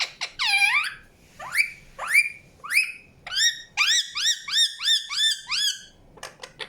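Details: Chirping Indian ringneck parakeet: a long looping screech, then sharp rising squawks spaced about half a second apart, building into a quick series of hooked, harmonic notes.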